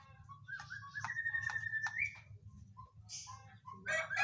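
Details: Agitated, excited whistling thrush giving loud, sustained whistled notes that waver and break off, followed by shorter sharp phrases, over a steady low hum.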